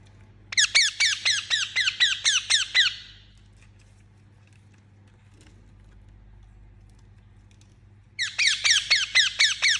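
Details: Indian ringneck parakeet chirping in two rapid bursts of harsh, scratchy notes, about four per second, separated by several seconds of near silence with a steady low hum in the background.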